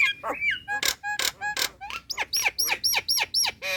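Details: Female Nias hill myna calling to a male, relaxed calling suited to luring birds: loud harsh bursts alternate with swooping whistled notes, repeated about four times a second.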